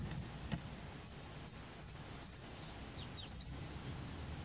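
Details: Indian bushlark singing from a rock, then cocking its tail: a run of short, very high thin rising notes, evenly spaced about every half second, ending in a quick jumbled chattering flourish and a final upslurred note, over faint background hiss.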